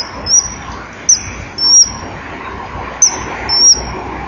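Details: Common kingfisher at a nest-wall camera at 15:44 on 15 December 2011: a bird speeds past left to right calling a lot, giving five shrill, thin, piercing whistles over a soft low rumble. Then an alert male lands briefly on the perch; intruders or danger suspected.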